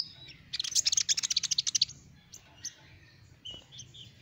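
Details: Sunbird singing, a recording used to lure small birds: a fast, high-pitched trill of about a dozen sharp notes in just over a second, followed by a few isolated thin chirps.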